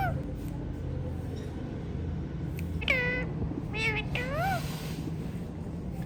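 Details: Hand-tame ringneck parrot making a few nasal, drawn calls, one falling and the next curling up at the end, after a quiet stretch of low room hum.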